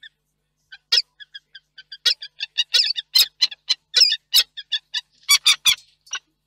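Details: At Reda in Poland on 4 August 2024, young peregrine falcons above disturb their parents meeting below. Soft spaced notes build into a loud, fast series of harsh, grating calls.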